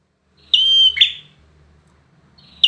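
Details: Competition-grade bar-winged prinia giving one full phrase: a steady, clear high whistle held about half a second, snapping into a short buzzy lower note, with the next whistle just starting at the end.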